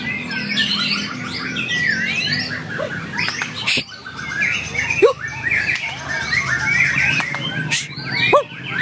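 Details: White-rumped shama singing at a contest with fast, varied whistled phrases and chatters. Sharp clicks and other birds' overlapping song are also heard.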